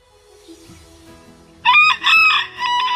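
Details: Rooster crowing: after a quiet opening with soft background music, a loud, harsh, harmonic crow bursts in midway and breaks into several rough segments until the end.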